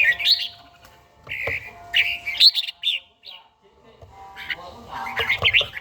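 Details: Daily morning singing from a trained red-whiskered bulbul from Gia Lai: lively warbled phrases and short buzzy-edged whistles in bursts, with one silent gap midway and a steady faint tone behind.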